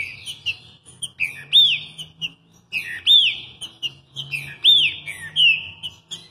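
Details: Green-winged saltator (trinca-ferro) singing a lot, from Rio de Janeiro, Brazil: loud clear whistled phrases with arching up-and-down notes, given in bursts about every second or two with short pauses, and a faint low hum underneath.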